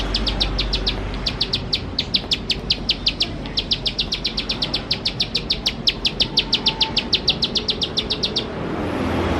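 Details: Lure recording of a Bar-winged prinia singing vigorously in rapid 'nembak' bursts: long runs of bright, piercing chip notes, about five a second, broken by a few short gaps, ending abruptly near the close amid a low background rumble.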